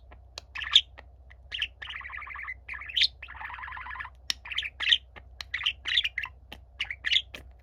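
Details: Pet budgerigars, a younger bird singing while a gentle older one listens quietly; busy chattering warble of short chirps, scratchy buzzy rattles around 1–2 seconds and 3–4 seconds, and sharp whistled squeaks, continuous throughout.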